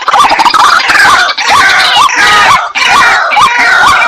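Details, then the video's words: White-breasted waterhen calling: a run of short upward-hooked croaking notes, each about half a second apart, over a dense harsh chattering layer that briefly drops out twice. "Jal murgi bird video & sound effect || water hen bird video"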